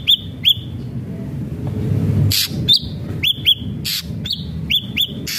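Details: Ashy drongo in steady song: paired, sharply rising whistles alternate with short, rasping, noisy bursts, set against a low background rumble.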